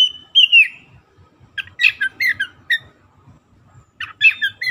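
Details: Oriental magpie-robin song serving as a lure for silent magpie-robins: a sliding whistle, then a rapid series of scratchy, chattering notes, ending with another burst of harsh chirps.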